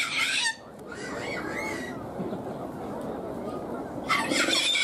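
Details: Sulphur-crested cockatoo at Ueno Zoo, Tokyo, Japan: a harsh grating screech opens, a steady murmur of visitor chatter fills the middle, and another rough screech breaks in at the end.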